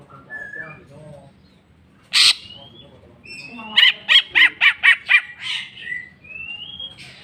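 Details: Greater green leafbird in full song with its filler repertoire: one harsh burst, long thin whistles, then a rapid chattering series of about eight sharp notes ending in rising whistles.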